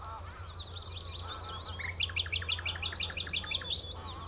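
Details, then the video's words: Nightingale song by the Horsmeertjes, Texel: slurred high whistles open, followed by a rapid, evenly repeated series of short clipped notes lasting about two seconds, with low background rumble. "Nachtegaal aan de Horsmeertjes op Texel"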